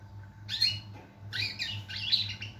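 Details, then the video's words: European goldfinch song: two short bursts of bright, scratchy twittering notes, the second longer and more rapid, over a steady low hum. "Chardonneret , El jilguero , bird , cardellino pezzato , GOLDFINCH SONG"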